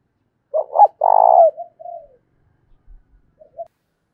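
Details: Challenging coo of a decoy spotted dove in thổ đồng voice: rough double note, a loud buzzing sustained coo, a falling soft tail note, then faint quiet coos.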